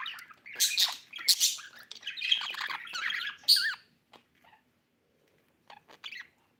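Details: Pet budgie chirps in a dense, scratchy burst of squeaks and clicks for about four seconds. Near silence follows, with a few faint ticks and a short chirp near the end.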